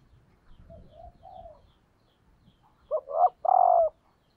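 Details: Spotted dove hen used as a lure, calling to stimulate males: soft, quiet, wavering coos first, then a loud phrase of two short notes and a long flat coo, with faint low rumbles beneath.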